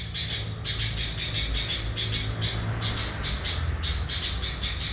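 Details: Lure song of a sooty-headed bulbul in full 'gacor' voice: bursts of sharp chirps in clustered groups over a continuous low rumbling background.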